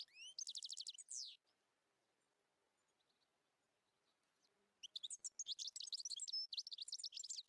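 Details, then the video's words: A European goldfinch gives a rapid, tinkling twittering song of high liquid notes and trills in two bursts separated by a quiet pause; males sing like this to attract females in the months before mating. "تتزاوج طيور المقنين فيما بينها مع بدء موسم التزاوج حيث تبدا الذكور في جذب انتباه الاناث وذلك بالتغريد والغناء لعده اشهر قبل ان يحين موعد التزاوج"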